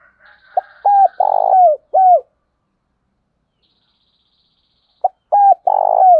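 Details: A captive decoy spotted dove gives calls meant to lure wild doves: two phrases of soft, hooting coos, each a few short notes ending in a longer, falling one.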